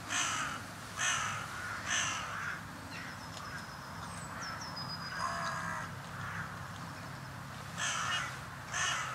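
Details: A flock of carrion crows gathered at a feeding round on a mild February day gives loud, rasping caws spaced about a second apart, resuming after a pause; thin high whistled notes from other small birds sound in between.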